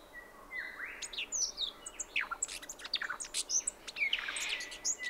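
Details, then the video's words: Brown Thornbill singing at 7am on 29 December 2011 on the Brandy Creek Mine Track, Mt Hotham, Victoria, Australia: high, thin chirps and twittering notes with quick downslurs, while other birds call softly in the background. "Brown Thornbill with sonogram"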